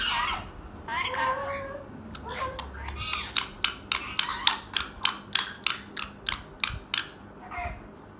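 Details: A ringneck parrot (Psittacula krameri), said to be angry, chatters in speech-like phrases, then gives a rapid run of about fifteen sharp, harsh squawks, roughly three per second.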